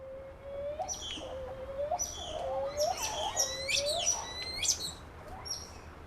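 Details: Grey-faced petrel, known in Maori as oi, calling at night on the Noises islands where seabirds nest: drawn-out low wailing tones that rise and dip, overlapped by higher squeaky chirping notes from several birds, in a steady background hiss.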